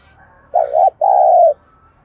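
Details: Spotted dove giving 'thúc gù' cooing, used to provoke wild doves and train decoy birds for trapping: a low, hollow two-part phrase, a quick doubled note followed by one longer, steady coo that drops slightly at the end.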